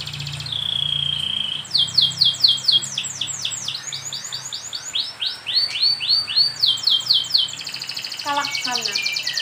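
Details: Canary masteran training song, played so young canaries learn to sing quickly: a long steady whistle, then rapid series of downslurred high notes in shifting repeated phrases, with a low hum beneath and chirps near the end.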